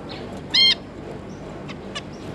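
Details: Zebra finch pair with their three young juveniles, 9 June 2022: one loud, short nasal call with rich harmonics, followed by a couple of faint soft notes over low background noise.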